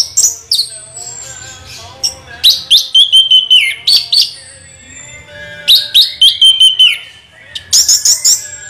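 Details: Orange-headed thrush rolling its song: clusters of rapid high chirps and slurred whistles dropping in pitch, delivered in bursts separated by short pauses, with a thin drawn-out whistle near the start.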